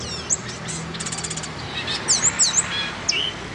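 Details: A black and white pet bird with a silver beak produces a brief song. It has a soft rapid ticking passage, then several high, slurred, swooping whistles and a final short buzzy note over steady low background noise.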